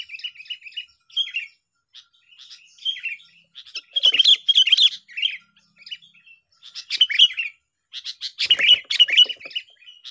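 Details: Sooty-headed bulbul in a bird-lure trapping setting: repeated bouts of bright chattering whistles and quick chirp runs, loud bursts alternating with short quieter stretches over about ten seconds.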